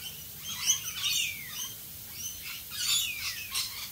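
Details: Rainbow lorikeets calling during rain in Australia: quieter screechy notes, including a few sliding downward squeals, in scattered short bursts over soft rain hiss.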